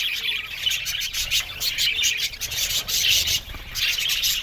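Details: Budgerigars in an aviary colony give continuous overlapping chirps and raspy warbling, swelling in loud waves every second or so.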